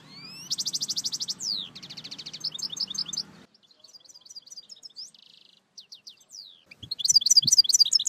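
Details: European goldfinch song, for teaching a goldfinch. A bright rising note opens a fast trill, then a descending slur and buzzy pulses. A quiet passage of soft twittering and a brief buzz follows before loud, tumbling twitters return.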